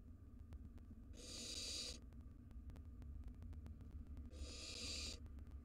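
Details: Wild barn owl nestlings in a monitored nest box squabble over a mouse: two harsh, breathy screeching hisses, each about three-quarters of a second, separated by a few seconds, over a steady low hum.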